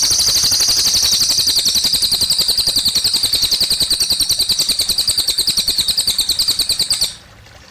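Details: Long unbroken high trill from a cililin, a quick steady stream of shimmering pulses lasting about seven seconds, ending suddenly, accompanied by gentle water sounds.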